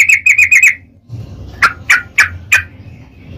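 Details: Sooty-headed bulbul, a caged songbird, gives a quick run of five bright chirps near two to three kilohertz, a short pause, then four louder, more emphatic notes spaced about a third of a second apart.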